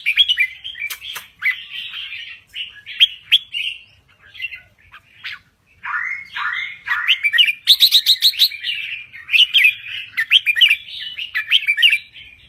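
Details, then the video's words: A red-whiskered bulbul from Thailand sings continuously. Mellow, slurred whistles, some swooping downward, alternate with fast rattling bursts. The song makes a long, varied, chattering stream. "Kicau Burung Merbah Jambul Gacor"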